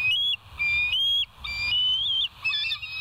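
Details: Bald eagles at West End, July 14, 2023, filmed by a live nature cam: loud, clear high whistles, each a drawn-out level or slightly wavering tone lasting about half a second, separated by short pauses.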